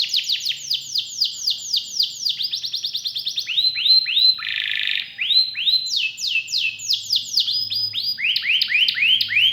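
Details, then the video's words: Canary in full varied song: series of falling and rising whistled notes repeated in groups, a short harsh buzzy rattle midway, then more looping whistled phrases. "KENARI GACOR CENGKOK ISTIMEWA,ISIAN MEWAH"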